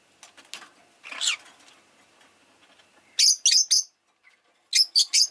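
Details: Pet rosy-faced lovebird: soft chatter and a rasping note, then two bursts of three sharp, high chirps in quick succession.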